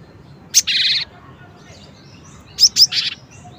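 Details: A cinereous tit gives a sharp high note followed by a half-second harsh buzzy rattle, then after a gap two clear sharp chirps and another brief buzz. Little else is heard.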